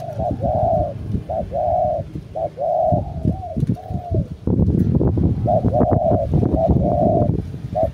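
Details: Household decoy spotted dove giving deep, hollow coos in short repeated phrases, a burst at the start and another near the end, separated by heavy low rumbling and knocking noises in the middle.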